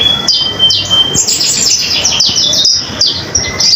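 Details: Common iora singing busily, offered as master song for other cage birds; rapid downward-slurred high chirps in quick bursts, separated by short gaps, plus a few clear level whistles.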